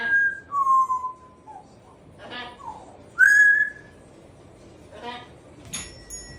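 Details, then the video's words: Pet African grey parrot chatty in the morning, indoors: clear whistled notes, one steady, one falling, one rising sharply then held, between short voice-like bursts, with a few high thin tones near the end. "the African Grey Parrot is quite chatty this morning."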